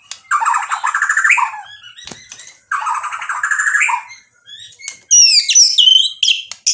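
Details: White-rumped shama in full isian song with mimicked material: two long harsh buzzy phrases, each more than a second long, separated by pauses, then a quick run of high sharp whistled notes.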